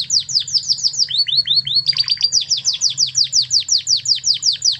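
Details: Master song of an original Spanish Timbrado canary from Spain: rapid repeated downward-sweeping notes, about five per second, shifting briefly to lower rising notes before returning to the quick high descending series.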